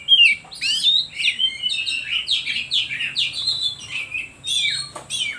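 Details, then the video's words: Oriental magpie-robin song used as a lure to provoke other birds into singing, a rapid varied run of whistled and scratchy notes, sliding and buzzy phrases tumbling one after another with brief sharp clicks. "Suara Pancingan Kacer Paling Ampuh || Bikin Burung lain Makin emosi"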